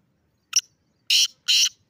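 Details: A black francolin perched on a rock gives a sharp clicking note, then two loud, raspy, drawn-out notes about a third of a second apart against a silent background.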